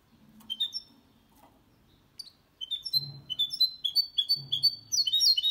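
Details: Goldfinch and canary hybrid song used to stimulate singing in males and teach young birds: scattered high chirps, then an accelerating series of bright repeated twitters over a low intermittent hum.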